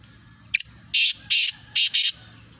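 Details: A female black francolin calls: four harsh, rasping notes in quick succession, each about a quarter-second long, with a thin high whistle running underneath.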